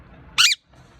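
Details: Pet parrot at play indoors, giving one short, harsh, buzzy squawk lasting about a quarter second, broad and noisy, then a quiet room with a faint low hum.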